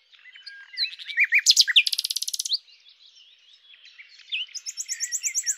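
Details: Common nightingale (Luscinia megarhynchos) singing: varied whistled phrases leading into a loud rapid trill of repeated notes, a brief pause, then a high fast rattling series at the end.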